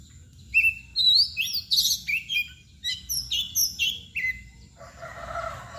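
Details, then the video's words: Kacer, or Oriental magpie-robin, in the mbagong, balon or koci nangkur style: a lively string of sharp, varied whistles and chirps, each note distinct and loud, ending in a softer rustling sound. "KACER MBAGONG LUCU ABIS"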